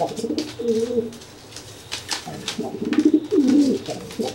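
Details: A dry pigeon threatens a wet, flightless pigeon after its bath by cooing and swelling up; short, deep warbling coos at the start, then a longer rolling coo sequence near the end, over light tapping noises.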